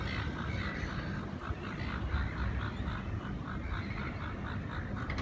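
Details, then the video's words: Mating gulls in Fremantle keep up a rhythmic chatter of short, nasal, evenly spaced calls, many per second, against strong low-pitched wind or background rumble throughout. "SEAGULLS ON HEAT"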